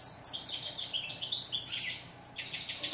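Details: Continuous, loud goldfinch twittering: quick liquid notes jumping up and down in pitch, mixed with short buzzy trills and a few thin whistled tones.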